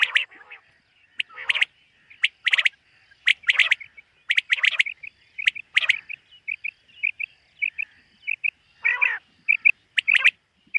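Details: Common quail heard on a summer meadow at morning. Loud clipped notes in tight groups give way to a run of soft, evenly spaced short notes, then a rough burst and more sharp calls.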